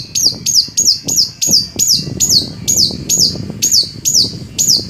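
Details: Long-tailed shrike song used to get other shrikes singing: a fast, steady run of high, sharply downslurred squeaky notes, about four every second, with faint rustling underneath.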